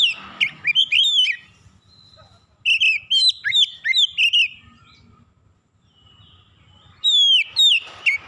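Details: Oriental magpie-robin calling in three bursts of loud whistled phrases, sweeping and looping notes mixed with sharp high chips, separated by quiet pauses of a second or more.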